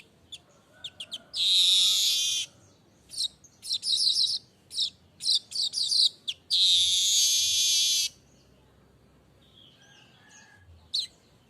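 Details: Streaked weaver in nonstop unedited song: a long harsh buzzing wheeze, a burst of sharp chattering notes, then a second extended sizzling buzz before a quiet close with one last chip.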